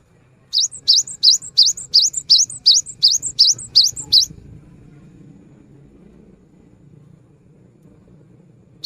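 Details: A persistently singing cinereous tit gives about eleven evenly spaced, sharply rising high whistles in a rapid rhythmic series, then stops, leaving soft low background noise for several seconds.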